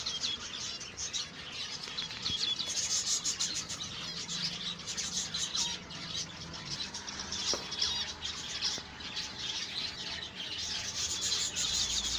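A colony of zebra finches keeps up a dense, high chatter of short nasal beeps and chirps.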